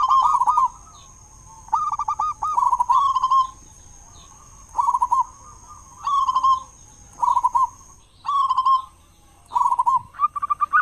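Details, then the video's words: A local zebra dove singing loudly to lure other doves into song at morning and evening: rolling, vibrating coos repeated roughly every second or so, with a steady faint high whine behind. "perkutut lokal gacor suara besar buat pancingan diPAGI dan sore"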